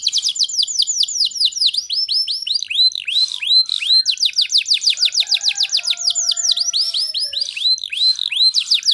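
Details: Singing canary meant to spur young canaries into song; long runs of rapid, high, down-curving whistled notes, about four a second, change speed and pitch between phrases.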